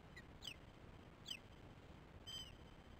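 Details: Osprey at a nest in the morning while the female feeds her chicks: short wavering, downslurred whistles, three in quick succession, over a low rumbling hiss.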